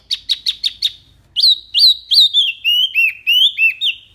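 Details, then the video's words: Wambi, mini type, in full song: a quick burst of short chips, then a long string of clear whistled notes that drop and level off, repeated at a steady brisk pace. "BURUNG WAMBI MINI GACOR SUARA BANYAK LANTANG JERNIH"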